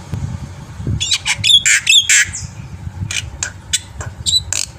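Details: Black-winged myna singing energetically, recorded to coax other birds into song: clusters of harsh, noisy squawks and short bright whistles in rapid bursts, then scattered sharp notes, with a constant low rumble behind.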